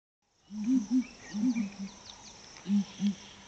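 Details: Ground hornbill booming call heard one morning at Flatdogs Camp: deep, hollow booms in twos, about six in three seconds, with faint high bird chirps and twitters in the background.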